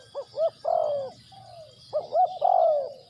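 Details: Decoy spotted dove for bird trapping, calling close and loud: quick rising notes leading into a long, rich coo with a softer falling tail, the phrase repeated twice.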